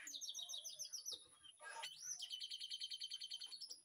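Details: White-rumped shama singing in a backyard aviary on an afternoon, master song for training: rapid chattering notes, a swooping whistle, then a quick rattling series of high clipped notes, over a faint constant hum.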